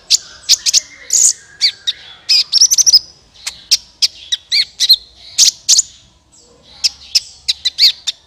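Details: Trapping lure of a sunbird (kolibri ninja): lively, rapid high chirps and squeaky twitters in irregular bursts, briefly pausing before resuming with more sharp tweets.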